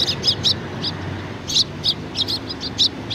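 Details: Several Eurasian tree sparrows flocking to food at a Tenmangu shrine, 19 April 2019; busy, high chirps come in rapid bursts and overlapping runs, almost continuous through the recording, with a soft low rumble beneath.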